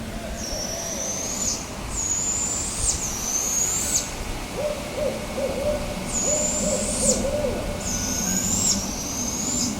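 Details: Juvenile Barred Owl owlets give loud, long, harsh, high screeching hisses, each over a second and slightly rising, with a run of soft low hoots midway. The hissing reveals where the owlets are and grows loudest when a parent brings food.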